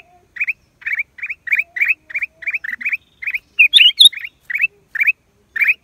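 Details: Black-crested bulbul recorded in April 2023: short, slurred chirps repeated about three times a second in a steady chatter, broken midway by a louder, higher squeaky call burst.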